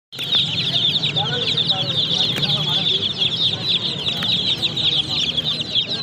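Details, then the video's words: Chicken chicks peeping together in a dense, continuous chorus of high, shrill, rapidly repeated cheeps, overlapping without pause, with a low steady hum underneath. "Free Sound effects Chicks"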